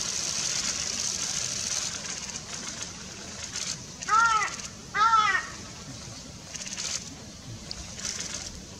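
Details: Japanese paradise flycatcher (Terpsiphone atrocaudata) on 29 June 2018, giving two clear, arched whistled notes about a second apart, over a steady hiss of insects and rustling.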